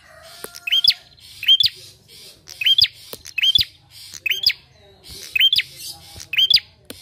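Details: Lure for other birds made from a bar-winged prinia singing hard: a regular string of upswept whistled notes, each followed by a coarse buzz, about every second, with a faint level tone at the start.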